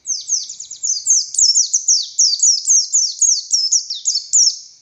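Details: Oriental white-eye of the buxtoni form singing continuous ngalas song, a master song for other white-eyes: an unbroken string of high, sliding, twittering notes, each falling sharply, delivered at a lively steady pace.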